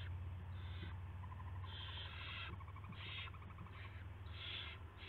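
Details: Owl at a nest before sunrise on March 9, 2016, with prey, a rat, being delivered: repeated short, harsh hisses mixed with rapid ticking chatter, irregular across five seconds, above a constant low hum.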